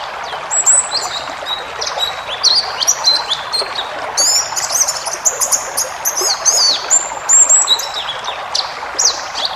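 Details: Wild-style 'ngalas' White-eye song for training cage birds, full of fill-ins: rapid high twitters and sharp chips, busiest in the second half, over steady hiss.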